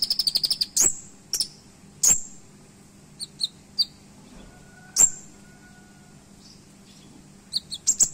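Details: Olive-backed sunbird (Leptocoma sperata, kolibri ninja) recorded as a sharp, "shooting" tutor song: a quick, very high trill, then sharp, piercing chips and short bursts at irregular intervals over a faint low hum.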